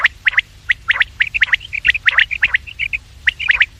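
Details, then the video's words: Quail calls, recorded in the morning and evening for luring quails: a rapid, uneven series of short, sharp, high chirping notes, often in doubled or tripled clusters, with quiet gaps between. "The best sound of quails in the morning and evening , bater ki awaaz,batair ki awaz,Bedananing ovozi"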